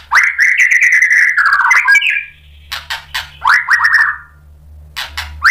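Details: Lure song of a White-rumped shama, meant to make other shamas respond: a long rich warbling whistle, a falling slur, then scattered sharp clicks and a shorter whistled phrase; faint low hum underneath.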